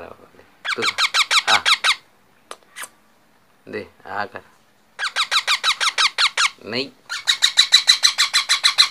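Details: Raw calls of a baby parrot: repeated bursts of rapid, grating squeaks in quick rhythmic series, separated by short pauses and a few softer human vocal sounds, recorded indoors.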